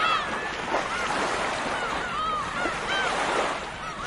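Gulls give short, arched, mewing cries every half second or so, rising then falling, over a steady roar of surf.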